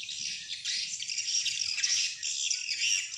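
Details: Many swiftlets chatter together in a recording played to draw wild birds into a swiftlet house, a thick, unbroken, high-pitched buzzing twitter with a few brief sharp squeaks.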